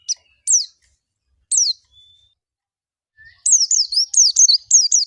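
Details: Oriental white-eye in ngalas style, played to prompt other white-eyes to sing: a few isolated high falling notes and a faint thin whistle give way to a dense burst of rapid high twittering at the end.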